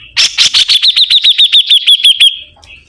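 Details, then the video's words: Sibuntung bird belting out a quick series of about fifteen bright, identical chirps, evenly spaced and slightly falling in pitch, ending in a soft fading note. "BURUNG SIBUNTUNG GACOR"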